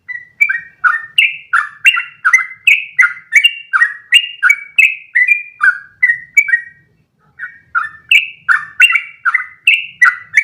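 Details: Training song of a Yellow-vented bulbul, long continuous rolling phrases for other bulbuls to imitate; rapid chain of warbled, up-and-down whistled notes, about three per second, briefly pausing near the middle before resuming.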